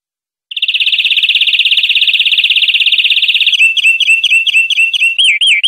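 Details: Clean tutor recording of European greenfinch song for educating captive birds: a long rapid buzzy trill of about three seconds breaks into repeated rolling, rising-and-falling notes, clear and loud with a silent background.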